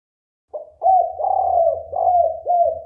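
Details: Spotted dove lure call: a short note, then repeated throaty coos with bending ends running into a purring trill, over a steady low rumbling hum.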